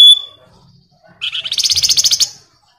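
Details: Singing flamboyan, a lure song to prompt other birds into song, described as gacor, dense ngebren style; a short high tone, a pause, then a buzzy, rapidly pulsed trill of about a dozen notes lasting one second.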